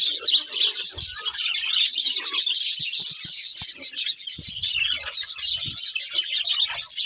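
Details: Group of budgies chattering steadily, a busy stream of bright, high chirps and scratchy warbled notes without pause, with a few soft low thumps in the background.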